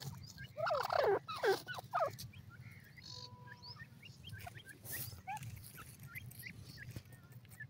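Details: Francolin (teetar) in breeding season: a few loud, harsh, rasping calls in a tight burst near the start, then fainter scattered chirps over a steady low rumble of background noise.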